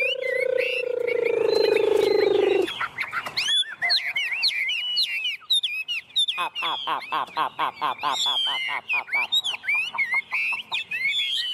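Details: Tame Chinese hwamei perched on a hand, singing very spiritedly: rich run of varied whistled notes, slurs and rapid repeated chips after a low droning sound at the start, with a man talking nearby.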